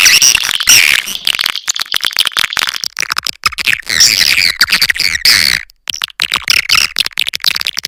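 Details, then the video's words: Lure call of swiftlets from nature, the sp. elang Borneo recording used to draw swiftlets in: continuous shrill chattering with fast clicks and buzzy trills, pausing briefly near the end before resuming. "SUARA PANGGIL BURUNG WALET ASLI DARI ALAM"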